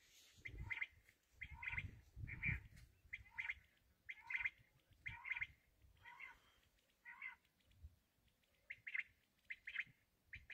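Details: Black francolin giving a series of harsh, buzzy two-part notes, repeated roughly once a second with short pauses, over low rumbling background noise.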